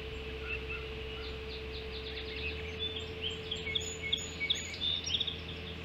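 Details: Ospreys at a Hog Island nest at 05:20 on 7 July 2016, during an early breakfast feeding. Thin, high whistled chirps come in quick, uneven bursts and grow busier in the second half, over a steady low electrical hum and faint background noise.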